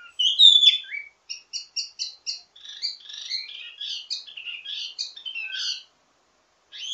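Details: A wambi mini in full song with a ledekan (teasing) song of many variations, used as a master for others of its kind: a loud slurred whistle, evenly spaced chirps, then quick jumbled warbling.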